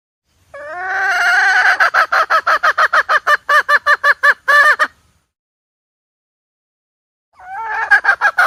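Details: Hen calling, recorded for use as trapping bait: a fast series of nasal, harmonic notes about three a second for four seconds, a pause, then another quick run.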